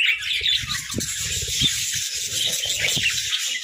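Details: Playful budgerigars housed together in a hut: constant bright warbling chatter from many birds at once, with rasping squawks and repeated low tapping or knocking underneath.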